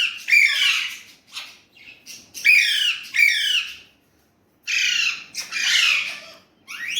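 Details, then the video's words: Indian ringneck parrot that talks in Urdu/Hindi produces hoarse, descending squawky phrases in irregular clusters, several in quick succession, then a pause and two longer grating utterances ending with a brief upward note. "Indian ringneck parrot amazing talking parrot"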